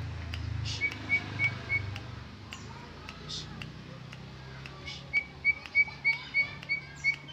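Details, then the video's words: Greater green leafbird, original song without added imitations: faint whistles early on, then a clear run of short, even whistled notes repeated about three times a second near the end, over a low background hum. "Suara Cucak ijo Original tanpa isian"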